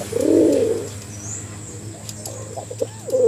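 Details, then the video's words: Pigeon calling a female: one rolling coo at the start, followed by quieter short calls and faint chirps against a low hum. "SUARA BURUNG DARA GACOR UNTUK PIKAT BETINA"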